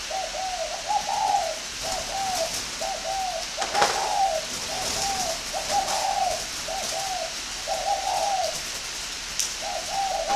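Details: Spotted dove kept at a breeding farm in northern Vietnam, prized for its call: repeated soft, rolling coo phrases roughly every second or two over ten seconds, a sudden knock midway, steady hiss behind.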